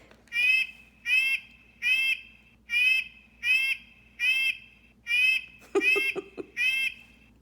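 Red-breasted Nuthatch giving nasal, tinny 'yank' notes like a toy horn, about ten in a steady series, one every three-quarters of a second; a brief low rustle near the end.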